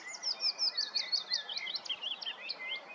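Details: Willow warbler song from woodland at Kotthausen, Wuppertal-Beyenburg, Germany, 3 May 2023: a clear cascade of soft, slurred whistled notes that tumbles steadily down the scale, with a thin, lower whistle from another bird beneath.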